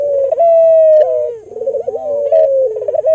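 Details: Albino local Barbary dove used as a lure to stimulate other doves to call; continuous mellow coos with a rolling, wavering middle and long, steady, slightly falling notes, one soft dip partway through.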